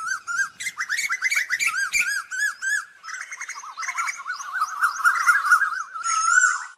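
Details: Asian koels calling to the flock: clusters of short rising whistles, then a long stretch of wavering, bubbling notes from many birds, ending with a louder drawn-out whistle.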